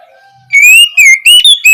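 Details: Oriental magpie-robin song opening, used as learning material to prompt young birds to start singing: after a faint low hum, loud clear whistled phrases, slurred and rising, in four bursts.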